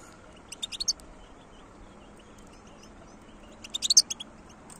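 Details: European goldfinch, described as wild, gives two short bursts of high, tinkling twittered notes about three seconds apart, each a quick cluster of sharp chirps, with near silence and a soft low hum between them.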